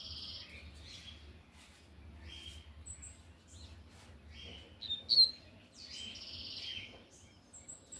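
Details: Loud singing of a lined seedeater, tui-tui style: separate short high phrases of whistled and buzzy notes spaced over eight seconds, one sharper peak near the middle, with a low background hum.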